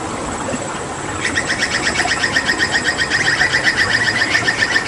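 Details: Hooded butcherbird of Papua, a mimic used as a tutor for other songbirds, after water therapy, delivering a rapid steady series of harsh, buzzy repeated notes, nearly four per second.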